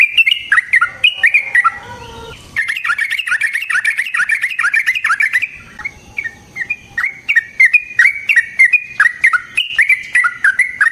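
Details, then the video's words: Yellow-vented bulbul long fighting song for luring and training: busy chattering and whistled notes with pitch jumps, a short break with lower tones, then sparser separate bright whistles toward the end. "Burung TRUCUKAN GACOR Ropel Panjang Cocok untuk PANCINGAN Trucuk bahan dan MASTERAN Burung Trucukan"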